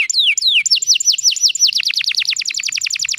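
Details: Loud canary calls meant to stimulate young canaries: two long sweeping downslurs, then a rapid accelerating string of short falling notes repeated many times per second.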